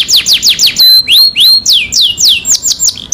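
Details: Canary lure song for prompting a quiet canary to sing: a quick run of repeated descending whistled sweeps, then a steady whistled note, then looping slurred phrases that fall in pitch, all clear and loud.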